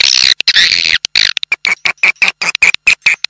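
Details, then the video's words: Swiftlet lure call for drawing in swiftlets: a burst of harsh, high chattering, then short, clipped chirps repeated with abrupt silent gaps. "Suara Burung Walet Panggil"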